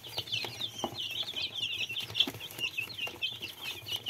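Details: Little chicks give a dense chorus of high, thin peeps, many overlapping and wavering without pause, over a faint low hum with a few soft clicks.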